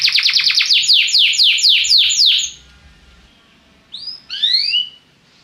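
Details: Belgian canary singing, used to encourage other birds to sing: a loud series of descending sweeping notes about eight per second, a pause of near silence, then a few rising whistled slurs.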